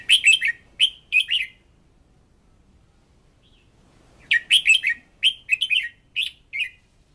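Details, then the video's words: Red-whiskered bulbul song, played for voice training of a decoy bird: two bursts of short, bright, warbling whistled phrases, three or four notes each, separated by a few seconds of quiet. "Luyện Giọng Chào Mào Mồi - Chào Mào Giàn Đạt Căng Lửa"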